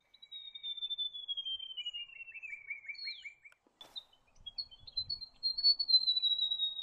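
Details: White-throated gerygone with a descending, slightly stuttering trill that drops in pitch and breaks into quick pulsed notes, a short click, then a new high, wavering phrase beginning to fall again.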